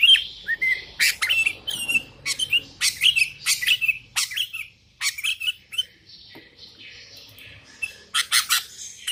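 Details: Sooty-headed bulbuls calling rivals, with wild birds answering: bursts of squeaky, chirping notes come in quick groups, then a quiet gap and another sharp cluster near the end.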